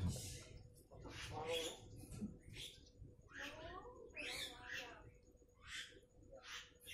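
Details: Pet bantam chickens foraging by themselves on a fairly sunny Sunday morning in South Jakarta; short harmonic clucking and chattering calls come in quick bursts, some sliding downward, with quiet gaps between and soft background noise.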